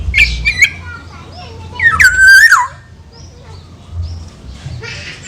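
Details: Javan black-naped oriole giving a loud whistled phrase that wavers and then falls, preceded by short squeaky notes, over a low steady hum.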